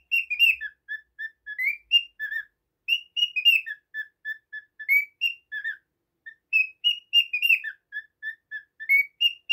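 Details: Pet cockatiel giving a long run of clear whistled notes, a flat repeated tone broken by rising and falling slurs, several phrases with short pauses, quiet indoor background.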